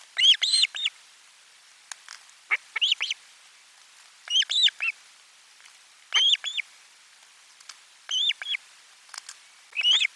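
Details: On 12 July 2022 an Osprey calls at its nest during a fish delivery at lunchtime, live nest camera: short clusters of two to three shrill whistled chirps, recurring roughly every two seconds throughout.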